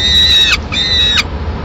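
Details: Lone peregrine falcon chick in Madrid, Spain, 22 May 2016, begging while the female takes a swift from the male to eat; two drawn-out high whining notes, each ending in a short downward slide, over low rumble.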